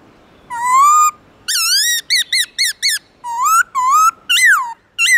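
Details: A black-throated laughingthrush sings forest-style in the morning, long rising whistles mixed with quick clusters of short bent notes, loud and clear, then further swooping whistles rising and falling.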